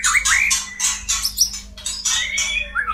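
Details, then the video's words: White-rumped shama recording used as therapy to get birds into breeding condition: dense harsh chattering bursts interwoven with short upward-swooping whistles, loud and continuous, low hum beneath. "SUARA PANCINGAN MURAI KAWIN PALING TOP ‼️Terapi ampuh murai cepat birahi."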